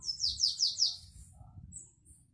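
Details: A canary sings in the Belgian classic song style: a quick tour of four high, downward-swept notes, about five per second, then a thin high whistle, over a faint low hum.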